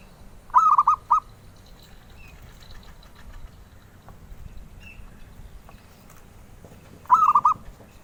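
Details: Zebra dove, a bird wanted by collectors, giving two brief cooing phrases of three to four soft notes, six seconds apart, over low background rumble and faint high chirps.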